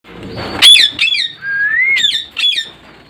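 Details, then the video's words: Parrot calls: loud harsh squawks in short bursts, a long rising whistled note in the middle, then two more sharp squawks close together. "Sounds of parrot"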